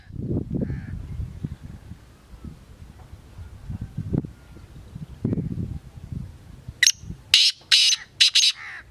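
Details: Black francolin calling near the end: a sharp rising note, then four raspy, high, harsh bursts spaced about a third of a second apart, after low rumbling and handling noise.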